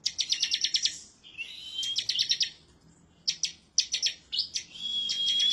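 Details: Bar-winged prinia of the 'semi' type singing insistently toward a rival. Runs of rapid, high-pitched chips alternate with drawn-out rising whistles, separated by short pauses. Offered as tutor sound to get birds singing quickly.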